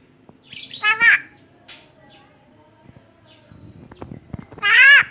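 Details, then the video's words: Javan myna kept as a tame bird, said to speak and cough, gives a double harsh rasp, then quiet clicks and taps, and ends with a loud, slightly rising grating call. "Jalak Kebo Jinak Bisa Ngomong dan Batuk"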